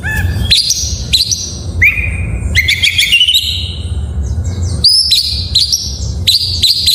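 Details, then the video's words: Oriental magpie-robin in full isian style, a varied song used to coax lazy magpie-robins into singing: loud whistled phrases jump between high and lower pitches, with sweeping slurs and short chattering bursts, over a steady low hum. "Suara masteran burung Kacer || pancingan KACER full isian"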